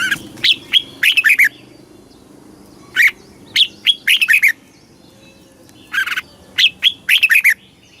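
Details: Caged Red-whiskered bulbul, Thailand, singing southern-style phrases meant to excite caged birds and instruct young birds; three repeated whistled phrases, each a few clear notes then a rapid falling flourish, separated by pauses of about a second.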